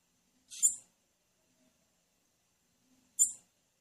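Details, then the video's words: Call of a female blue-black grassquit, used to prompt males to sing: two brief, piercing high-pitched chips about two and a half seconds apart in otherwise quiet surroundings. "O MELHOR PIADO DE FÊMEA DE TIZIU, DUVIDO SEU TIZIU NÃO CANTAR"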